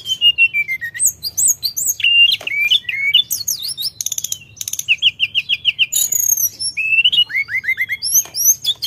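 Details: Long, varied outpouring from a sooty-headed bulbul: sweet descending whistles, abrupt slurs, short buzzy rattles and chattering runs, continuous with only brief gaps.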